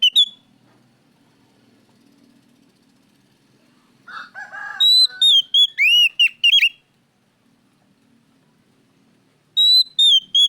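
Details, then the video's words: Oriental magpie-robin (kacer) lure song, loud and clear: bursts of sweet whistled notes near the upper register, some slurred and rising, with a brief buzzy lower phrase, separated by quiet gaps. "pancingan Kacer gacor suara keras plong"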